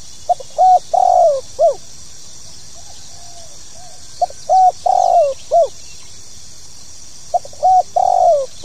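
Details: Spotted dove call in pokal tanggung style, played so new birds will sing. Low mellow phrases repeat every three seconds or so, each a brief note, level coo, long descending coo and short closing note, with faint quiet coos between and steady hiss.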